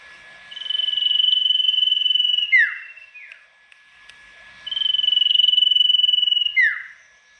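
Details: A tame Golden-bellied Gerygone calls loudly as if seeking a rival: a long, high, even trill of about two seconds, then a quick falling whistle, given twice in a quiet setting.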